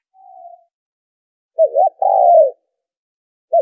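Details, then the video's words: Spotted dove lure call for bird trapping: a faint soft note, then a loud short wavering note and a longer steady coo sliding slightly down, with a new phrase beginning at the end. "tiếng chim cu gáy kích bổi - cu gáy kích mồi - tiếng cu gáy giành cho đi bẩy"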